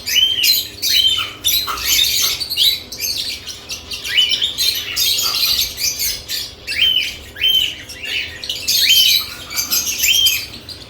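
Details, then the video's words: Lovebirds busy at freshly added nest boxes, calling with a steady stream of sharp, squeaky chirps, each a short arched note, overlapping in an almost continuous chatter. "Lovebirds add nest boxes activity & chirping sounds"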